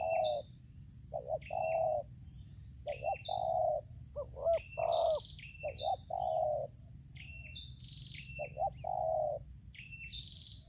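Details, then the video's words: Spotted doves in Lampung, Indonesia, a trapper's decoy bird facing a wild bird, in the 'tarik akar selang nguku' song style: low hoarse coos in two- and three-note phrases, repeated irregularly, with thin high chirps from other small birds above. "suara tarik akar selang nguku"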